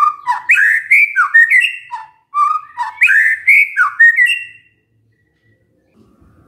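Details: Lure song of a white-rumped shama, sung to draw replies from other shamas: two rich, fluting bursts of quick whistled notes climbing in pitch, followed by silence.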